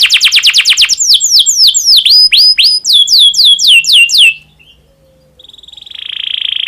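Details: In breeding condition, a domestic canary sings, a song aimed at stirring other canaries to sing: long run of quick falling whistled sweeps, a brief pause, then a soft rising buzzy trill.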